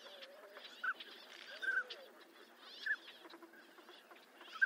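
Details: Northern pintail giving a few scattered short whistled notes with longer gaps between them, mixed with softer low drawn-out tones and quiet background hiss.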